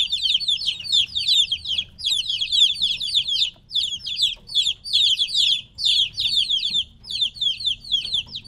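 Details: Separated from their mother, a group of three-week-old chicks chirps insistently, groups of high descending peeps with brief gaps between bursts, many voices overlapping.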